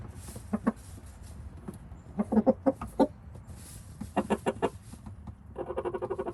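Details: Rooster in a nest box with a hen, making assorted noises while apparently making a nest for her: soft low clucks in short uneven clusters, with a rattly burst at the end and faint background hiss.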